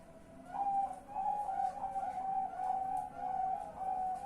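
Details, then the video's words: Zebra dove at night, 10 March 2021, giving a steady string of soft, whistled cooing notes about every half second, mid-pitched and fairly even, over a quiet background hiss. "BUNYI MALAM PAMIT TIDUR 5x bunyi"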